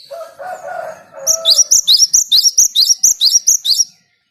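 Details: Java sparrow singing, used to prompt other birds to sing: a fast run of about thirteen loud, high, sharp chirps, roughly three per second. Lower, harsher calls from another bird come first.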